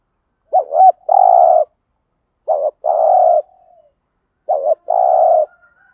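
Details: Spotted dove giving a standard 'thúc gù' song, played to make wild doves react and coo back. Three phrases, each a quick quavering double note, a brief pause, then a longer, steady, low coo. No other sounds.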